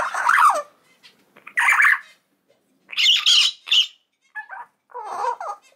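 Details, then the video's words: Three-month-old common hill myna chick of unknown sex, a pet not yet able to talk, giving harsh, hoarse squawks in short bursts about a second apart, separated by silent gaps. "九官鳥の鳴き声｜お喋りできない生後3か月の赤ちゃんです Crying Myna bird"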